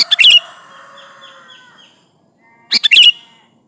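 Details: Sooty-headed bulbul calling to rivals, used as a lure: two loud bursts of sharp, rapid chirps about two and a half seconds apart, with faint drawn-out whistled tones fading between them.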